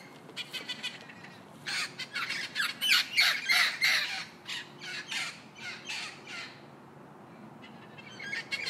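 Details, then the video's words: Parrot squawks: a series of harsh, raspy screeches repeated about three per second, rising to a loud peak then fading, ending with a few scattered rough calls. "PSITACÍDEOS - Araras - Cacatuas - Papagaios - Periquitos - Animais da Fazenda - Som Dos Animais"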